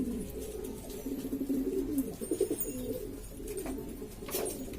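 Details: Domestic pigeons of several types from East Lombok, Indonesia, clamouring together: quick, pulsing low coos tumbling over one another, then a brief lull with a few knocks.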